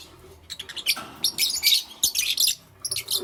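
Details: Lovebirds in the morning making sharp, irregular squeaky chirps and buzzy chatter, bursts of several notes separated by short quiet breaks.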